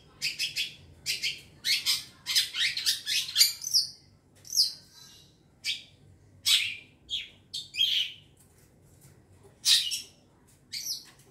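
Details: Young long-tailed shrike from the forest in a lure recording, opening with a fast, scratchy chatter, then giving spaced rasps and whistled downslurred notes.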